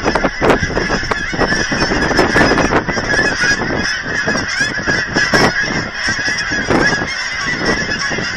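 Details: A huge gathering of geese at a Hereford, Texas aquatic center, being fed by visitors, gives clear, nasal honks in quick, uneven bursts from many birds at once, with light wind noise.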